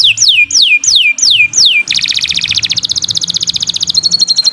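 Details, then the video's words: Canary song for tutoring other birds: five slow, loud whistles sliding steeply downward, followed by a rapid buzzy trill that ends on a steady high whistled tone. "Kicau Burung Kenari 156 II LUAR BIASA GACOR PANJANG Cocok untuk Masteran"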